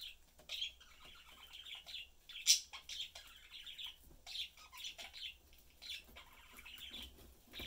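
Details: A pet budgerigar family of three, a blue father, a yellow mother and their young one, chatting while eating and playing: soft, continuous warbling chirps and twitters, with one sharp louder chirp and faint clicks and rustles.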